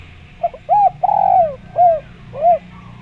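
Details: Luring call of a spotted dove to make other doves respond, with a quick lead-in note, a long downward-sliding coo, then two separate rounded coos spaced about half a second apart.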